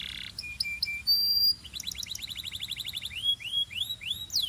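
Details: A Belgian canary sings a bright, high song: short steady whistles, a long held note, then rapid rolling trills and quick rising sweeps.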